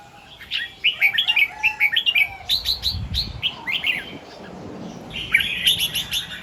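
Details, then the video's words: Morning red-whiskered bulbul in 'double 2-3' and 'rik' song styles, caught by a set camera: quick repeated chirping phrases in a steady run, a quieter stretch, then a final burst of bright notes. "เสียงนกกรงหัวจุก ร้องเบิ้ล2-3 ร้องริก"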